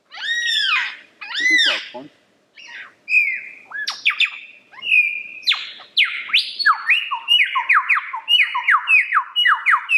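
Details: Lyrebird singing: two loud arched harmonic calls open, then a long accelerating series of descending whistled sweeps and crisp clicks, becoming a steady rapid rhythm by the end.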